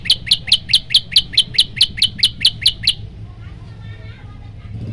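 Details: Yellow-bellied prinia master song for provoking other birds: about thirteen bright, sharp chirps in rapid, even succession over three seconds, then quiet with faint background hum.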